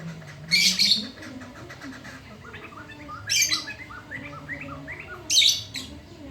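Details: A black-throated laughingthrush with a very loud voice sings at midday: harsh rasping bursts about every two and a half seconds with soft rising whistled notes between them, over a faint low hum.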